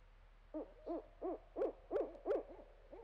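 A Barred Owl gives a quick run of seven hoarse, arched hoots, each swelling and falling, about three per second, with no other sounds.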